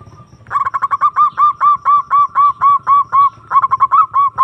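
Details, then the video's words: Zebra dove lure call used to summon a rival and stir up breeding drive: a quick stuttering run of short notes breaks into a steady string of about a dozen rounded, arched coos. Low background hum. "Pancingan Perkutut Memanggil Lawan Manjur Langsung Nyaut"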